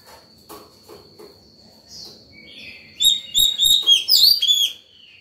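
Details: White-rumped shama singing in the morning, calling to other birds and training young birds: after quiet clicks, a loud burst of rapid whistled and warbled notes, high and varied, lasting about two seconds, with a steady high tone behind.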